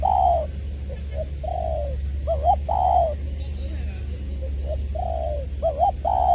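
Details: Decoy spotted dove from Long Đức, Trà Vinh, 22 February 2021, with a "giọng tiểu" voice; soft, slightly descending coos given in pairs and triplets, a clear low rumble underneath and faint background voices.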